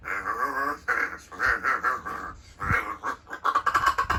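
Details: Pet rescued large-billed crow practising its voice in the morning; a continuous string of short, nasal, gargled syllables with wavering pitch, almost like mumbled chatter, in a small indoor room.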